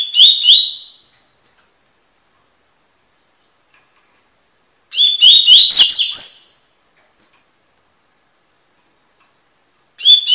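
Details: Double-collared seedeater singing in the tui tui style, a training song for teaching other birds: short phrases of rising, slurred whistles mixed with sharp buzzy notes, repeated about every five seconds with silence between, no other sounds.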